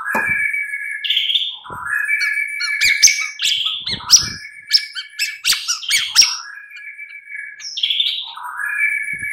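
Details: White-rumped shama song played in the afternoon as a lure to provoke a captive bird into singing: varied loud whistles, sharp chirps and rising and falling notes in quick succession, with short buzzy bursts throughout.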